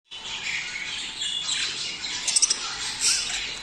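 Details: Budgerigars, presented as a mating sound used to stimulate breeding in captive pairs; dense, continuous high chattering and warbling from several birds, with short sharp squeaks and chirps standing out near the end.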